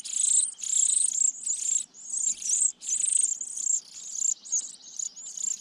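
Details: Close-range sparrow nest high in a pine, chicks being fed by the adults; insistent high buzzy begging in rapid pulses, about seven bursts over five seconds, some longer and some clipped short.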